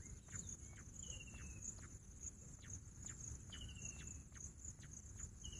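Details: Pahadi Bater (bush quail) with a few thin, descending whistles spaced a couple of seconds apart. Constant shrill insect hum and faint ticking fill the background.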